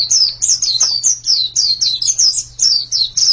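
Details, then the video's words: Short burst of white-eye song: quick, sharply falling high whistles tumbling one after another, with a constant low electrical-sounding hum behind. "Ini pasti pleci yang sangat super itu kicaunya"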